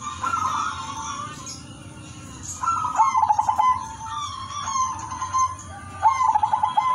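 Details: Zebra dove of the udanmas silver strain singing a sweet rhythmic song used to lure others. Three phrases of quick stuttered coos, each ending in a held rolling note, roughly every one and a half seconds. Low steady hum.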